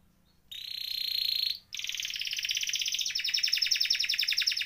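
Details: Vocal canary in rolling 'ngeroll' song, used as a tutoring and prompting recording for canaries that have stopped singing: after a silent start, a steady buzzy high trill, a short break, then a quick trill rising into faster, higher pulsed rolls.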